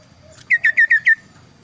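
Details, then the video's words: Kaso-kaso bird with a very clear, varied voice: five loud, pure, downslurred whistles in quick succession, each about a tenth of a second, followed by quiet. "burung kaso kaso tampil dua suara variasi"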